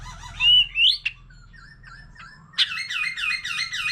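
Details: Wild-matured white-rumped shama singing many varied phrases alongside a laughingthrush: two loud rising whistles, then soft scattered notes, then a fast run of repeated bright looping notes.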